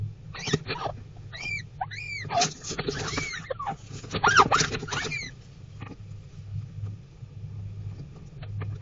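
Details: Adelaide rosella chicks in a backyard nest box, climbing to the entry hole in darkness around 2:48am or exploring after 6am; a burst of arched, squeaky rising-falling calls and scratchy clicks, then fading to low hum and faint scrapes.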